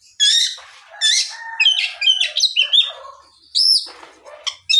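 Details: Oriental magpie-robin in full afternoon song, meant to spur rival magpie-robins to reply; bright high whistled notes, scratchy chirps and tumbling warbles, delivered in dense bursts separated by brief gaps.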